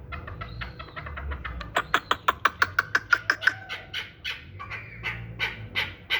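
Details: Accelerating chuck-chuck series from a yearling hybrid chukar partridge raised for fighting and hunting: loose notes at first, then a tight, loud, evenly spaced burst, easing into softer scattered calls over a low background hum.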